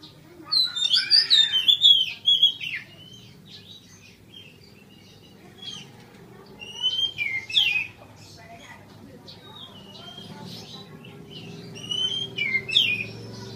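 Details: Oriental magpie-robin, a kept bird nursed back from severe cataracts in both eyes and now fully healed, singing freely again: loud whistled, slurred phrases with sharp upward and downward sweeps in bursts, then pauses, over a low background hum.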